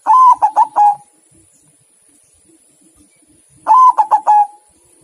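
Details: White zebra dove, called perkutut putih, giving two short bursts of four clipped, mellow cooing notes. The bursts come about three and a half seconds apart, with quiet between them.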